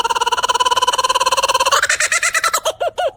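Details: Laughing Kookaburra in Australia giving a fast run of harsh, even chuckling notes that break into louder, rising-and-falling 'ha-ha' hoots, about three per second.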